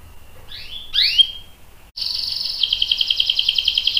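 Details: Canary with a long rolling song: two sweeping slurred whistles, a short pause, then a sustained rapid trill holding steady in pitch for two seconds.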